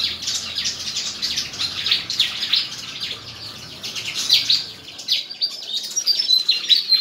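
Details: Fighting song from a white-throated fantail at a song contest in Tân Qui, Củ Chi, Vietnam; continuous squeaky twitter, briefly softer in the middle, then louder bursts with a thin sustained whistle near the end.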